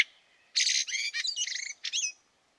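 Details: A continuous harsh, squeaky chatter from a Fieldfare in snow at Liepāja, Latvia, March 2023, ending in a short downward-sliding squeal.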